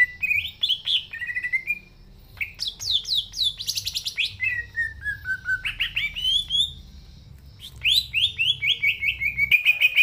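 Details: Green leafbird singing continuously (gacor), natural voice for luring young birds into song: dense, varied whistled phrases, fast runs of downslurred notes, high sweeps and rising slurs, nearly without pause.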